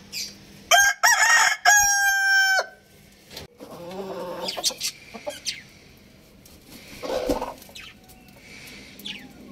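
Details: Loud rooster crow: a rich harmonic, held call lasting about two seconds, with an opening note, followed by softer clucking and scattered clucks from other fowl.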